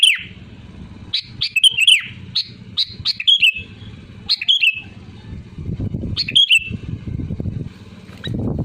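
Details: Sooty-headed bulbul sounding off loudly at rivals as a lure: a busy run of quick bubbly, chirping phrases, thinning out later while a louder low rumbling noise rises behind.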